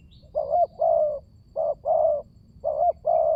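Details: Spotted dove calls used to lure silent doves into calling: three evenly spaced pairs of coos, each a short rising note then a longer, level throaty one, over quiet background.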